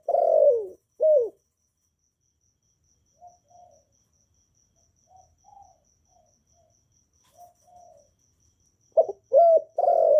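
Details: Spotted dove calling to stimulate newly kept doves, recorded without background noise: loud low falling coos open and close the recording, faint soft hoots between, and a faint steady high ticking throughout.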